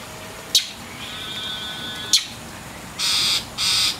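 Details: A mockingbird, angry at a cat that is cleaning her wet tail, gives two coarse rasping calls at the end. Before them come two sharp clicks and a thin, steady whistled tone.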